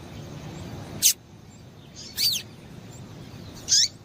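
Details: Female double-collared seedeater calling, a call used to stimulate males to sing: three short, sharp, high chirps with a quick downward sweep, spaced about a second apart, over steady low background hiss.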